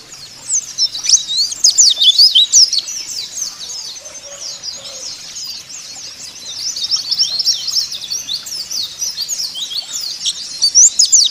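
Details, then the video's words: Caged-bird lure of white-eye song: long run of busy, high twittering and chipping notes, loud at first, easing briefly mid-way, then building into dense chatter again. "Pancingan Pleci Agar Buka Paruh Sobek-Sobek"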